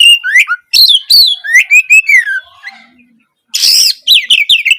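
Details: Oriental magpie-robin singing loudly as a master recording for lazy, silent birds. Rich varied whistled phrases with sliding notes, a short quiet gap, then a harsh rasping burst followed by fast whistled notes.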